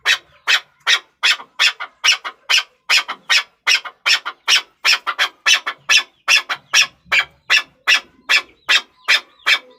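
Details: Chukar partridge repeating harsh, grating chuck notes at a brisk even pace, around two and a half per second, with faint low knocks in the background.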